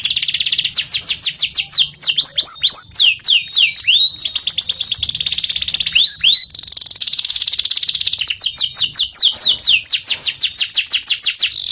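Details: Canary singing in the vigorous rolling and shooting style called gacor ngerol nembak: fast high rattling trills alternate with repeated downward-sweeping whistled notes and sustained buzzy rolls, with short breaks.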